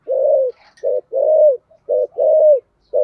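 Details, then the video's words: Spotted dove singing in the thổ cúc đình style: low, hollow coos in pairs, a short double-pulsed note followed by a longer smooth note that falls at the end, repeated steadily with short silences between. "cu gay giong tho cuc dinh/ chim cu gáy giọng thổ"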